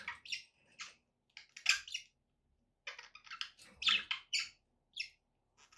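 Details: Household budgies trade sharp high chirps and squawky notes in clusters, with brief silences between bursts of chatter.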